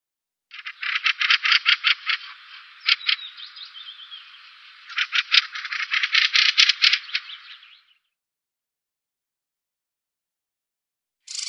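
Mistle thrush giving dry, harsh rattling calls in two long stuttering bouts of rapid clicks, with a third starting at the end; nothing else is heard.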